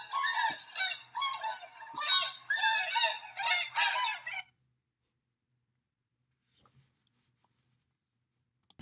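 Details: Tundra swan in Drumheller, Alberta, Canada, giving a run of about eight loud, nasal, evenly spaced honks over four seconds, then falling silent apart from faint clicks.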